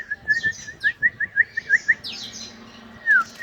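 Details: Canaries checked in the morning; a bright note near two kilohertz repeated about ten times in quick succession, overlaid by higher buzzy sweeping phrases from other birds, ending with a slurred downward whistle.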